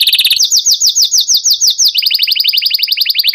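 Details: Atlantic canary in breeding condition, eager to mate, singing a long rolling song: a fast high trill, then a run of sweeping rapid notes, then a lower buzzy rapid roll, all dense and continuous.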